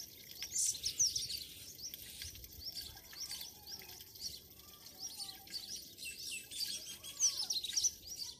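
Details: Morning birdsong in a Pakistani village, with high thin chirps and twitters scattered across the recording, several faint calls overlapping, and a steady background hiss.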